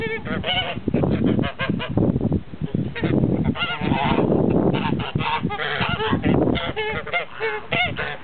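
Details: A flock of blue and grey Toulouse geese in a noisy chorus of overlapping honks and cackles, dense and steady throughout with a heavy low rumble underneath.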